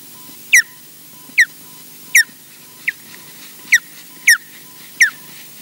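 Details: Osprey at its nest at Loch Garten, Scotland, making its first appearance in the morning and alarm calling: seven sharp, high whistled notes that sweep downward, each with a bright ringing overtone, spaced roughly every 0.6 to 0.8 seconds over a low steady hum.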